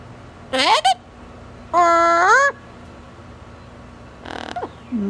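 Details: Female double yellow-headed amazon kept as a pet, vocalizing on a cage outing: a short warbling burst, a longer tonal phrase rising at its end, then a faint rough sound near the close.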